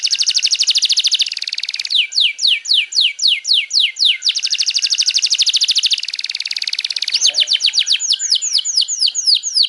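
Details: Canary singing lively in the afternoon: long, rapid rolling trills alternating with series of clear, downward-sweeping whistled notes repeated about twice a second, continuous and loud.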